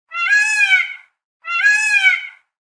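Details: Peacock calling twice, each a loud, nasal, wailing cry about one second long with a rich, harmonic tone, separated by a short silence, clean and with no background sound.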